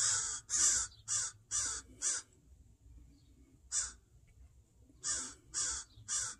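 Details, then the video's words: Crows upset by a person near their fledgling in a yard give harsh caws: five in quick succession, a single caw after a pause, then three more, over a faint low hum. "Crow making a fuss to protect their fledgling"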